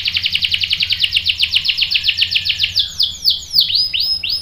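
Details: Singing canary in a lure recording meant to provoke other canaries to reply and roll: a rapid series of descending chirps, about eight per second, slowing into broader sweeping notes, with faint low room hum.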